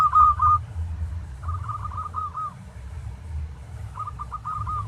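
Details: Local zebra dove (perkutut) song, a recording used to train other doves to sing: soft rolling coo phrases of quick stuttering notes, three phrases spaced about two seconds apart, over a constant low rumble.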